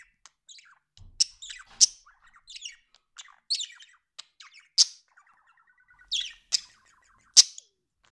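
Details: Chattering pet budgerigar with an irregular series of short squeaky chirps and buzzy notes, including a few loud sharp clicks and a brief rattling phrase.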